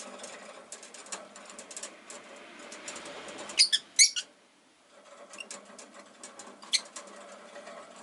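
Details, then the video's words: A pet rosy-faced lovebird on a relaxed afternoon gives a quick cluster of sharp, high chirps midway, then a few scattered ones, over soft rustling and ticking, with possible town noise. "Lovebird Chirping Sounds"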